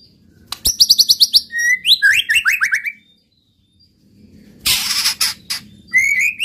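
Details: Song of a white-rumped shama, used to goad other males into singing; a rapid burst of sharp repeated chips, then falling slurred whistles, a pause, and a harsh noisy rattle before another rising whistle.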